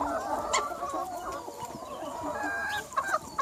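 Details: Chicken flock ranging freely on a sunny spring day, quick irregular clucks and short squawks overlapping, a few brief loud calls near the end.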